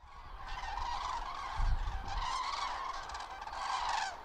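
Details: Common cranes on autumn migration over Lahn-Dill-Kreis, central Hesse, Germany, 31 October 2022, in poor weather: a flock gives overlapping rolling, trumpeting calls in three swelling waves, with a low rumble beneath.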